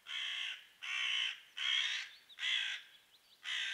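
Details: Crows angrily harassing a pine marten for being in their territory, dropping twigs on her from the tree above; five harsh, rasping caws come roughly every 0.8 seconds, with faint twittering between them.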